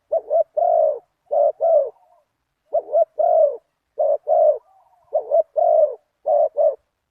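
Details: Deep-voiced spotted dove in '1 kuk' style, used as a decoy to answer a target bird, repeating low mellow coo phrases steadily, about seven in a row, each a brief stutter then a longer rounded coo.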